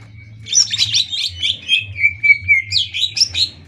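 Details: Greater green leafbird song for training other birds: rapid busy twittering phrases, a short series of clear whistled notes in the middle, then more chattering, with a low hum underneath.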